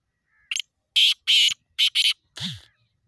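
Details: A kala teetar, the Black francolin, calls with a quick soft opening note followed by four harsh, grating bursts grouped in pairs. A duller, lower sound follows after the last burst.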